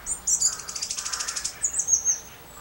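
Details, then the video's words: Song thrush in song at Campbeltown, April 2012, giving a high, dry, rapid rattling trill followed by a thin, high whistled note. "Song Thrush Singing, Campbeltown, April 2012"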